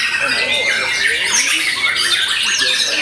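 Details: After moulting, a white-rumped shama delivers a busy, unbroken stream of sharp whistles, rising and falling slurs and scratchy chatter, loud and steady throughout.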